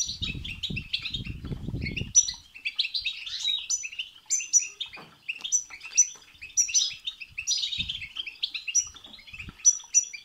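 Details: European goldfinch song for stimulating a goldfinch to sing, opening over low rumbling noise, then steady rapid twittering with clear high notes recurring about every second.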